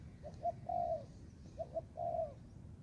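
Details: Spotted dove, a young Thai-type bird training in a forest, gives two phrases: a pair of quick low notes leading into a drawn-out, gently falling mellow coo.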